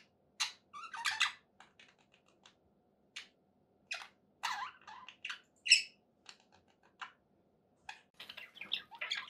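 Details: Pet budgerigars calling indoors: scattered short squawks and chirps with brief pauses, bursts of scratchy chatter and a few sharp higher notes, uneven in rhythm.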